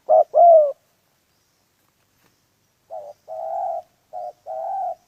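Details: Spotted dove heard while trapping wild pigeons: a loud two-part coo, a pause of about two seconds, then two softer, more distant paired coos, each a clipped note followed by a longer hollow one.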